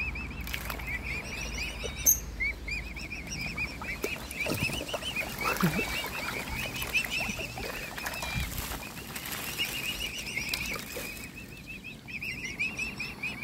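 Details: Mute swan cygnets of one family peep continuously while being fed by hand, high quavering notes strung in long runs, with splashes and low rumbling noise underneath.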